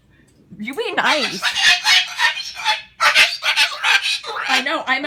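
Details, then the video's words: Pet Moluccan cockatoo indoors, angry over its cleaned-up kitchen-table nest; harsh raspy squawks run almost continuously with brief pauses, while a person talks over the start. "Misha the Moluccan is an angry bird"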